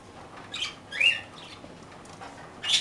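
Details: Parakeets eating toast make short, raspy chirps: one soft, one louder with a bright rising note, and a final harsh call at the end.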